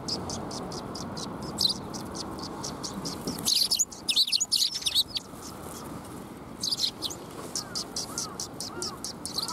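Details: A group of sparrows visits a shrine to get food, 12 February 2021: fast repeated high chirps, a noisy chattering burst midway, then steady chirping again.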